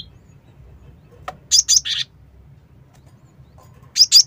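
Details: Cinereous tit, used to lure birds, producing two quick bursts of harsh high chirps, three notes then two, separated by a short silence over faint hum.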